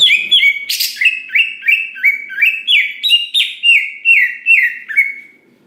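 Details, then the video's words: Greater green leafbird song meant to trigger other leafbirds, a steady series of bright slurred whistled notes repeated about three times a second after one harsh buzzy burst. "Cucak Ijo Gacor Paling Pintar Memancing Cucak Hijau Lain Agar Cepat Bunyi Gacor"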